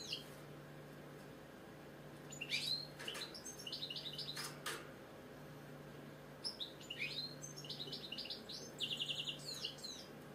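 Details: A pet British goldfinch sings soft, high tinkling twitters and chirps in two loose clusters separated by a quieter stretch, against a steady low-pitched hum.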